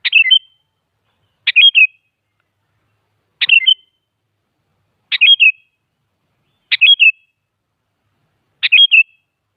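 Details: Lure song of a sooty-headed bulbul for drawing answers from other bulbuls: six brief bubbling whistled phrases, each a fast descending tumble of notes, spaced one to two seconds apart, no other sounds.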